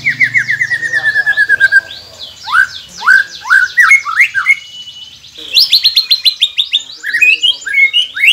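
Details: White-rumped shama song used as a training recording to prompt quiet captive birds to sing: a fast trilled series of descending notes, then rapid rising upsweeps and a dense burst of high chattering phrases.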